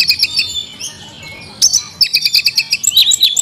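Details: Kacer, the Oriental magpie-robin, kept caged, in its 'isian mewah' style: a drawn-out high wavering whistle, then a run of crisp, evenly spaced sharp notes repeated about five times a second.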